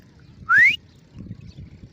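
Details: Grey francolin uttering one short, bright whistle rising steeply in pitch, followed by faint low rumbling.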